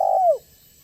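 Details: Spotted dove of the banggo type, a persistently calling bird used as a lure that makes other spotted doves call and approach; a single loud, low coo slides smoothly downward and ends abruptly, with no other sounds.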